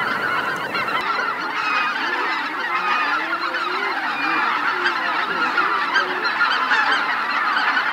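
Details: Greater white-fronted geese arriving at their roost on Miyajima-numa, Bibai, Hokkaido, Japan, 2016, filmed with a JVC LS300. Busy overlapping high honks over lower wavering, bending calls nearby. A crowded, restless chorus runs throughout.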